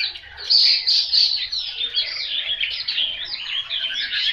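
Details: Chinese hwamei song, a selected bird: a dense, fast run of high warbled and squeaky notes, loudest in short bursts near the start, then a continuous chattering flow of varied phrases.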